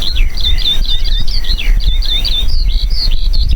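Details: Eurasian skylark (Alauda arvensis) song in Poland, given while hovering high in the sky: a rapid, unbroken stream of high chirps, trills and slurred whistles without pauses, over a steady low rumble.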